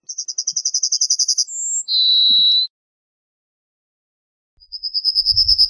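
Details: Yellowhammer phrase of rapid repeated high notes, followed by a brief higher whistle and a long sustained lower note; after a pause, another run of quick chips begins, with a faint low thump near the end.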